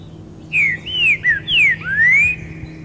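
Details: Green-winged Saltator singing loudly in the forest: a rich phrase of five clear whistles, three short downslurred notes, then a longer falling note and a drawn-out rising one, with a faint steady hum beneath.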